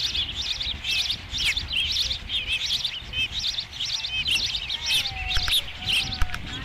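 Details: Osprey at a ranch nest, 5 July 2016, first fish: repeated shrill, wavering whistled chirps in quick bursts, tapering off toward the end, with steady low background rumble.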